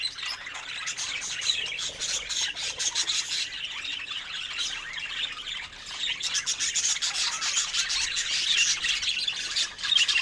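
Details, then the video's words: A group of budgerigars warbles and chirps busily, with fast rasping bursts and bright squeaks that grow louder in the final seconds. "Entspannende Wellensittich Geräusche Vogelgesang"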